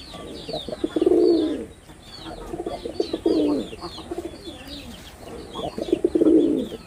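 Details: Male red-bordered wild pigeon putting on a calling performance: three bouts of low stuttering pulses, each swelling into a long throaty coo, about two seconds apart, while thin high chirps of small birds run through the background.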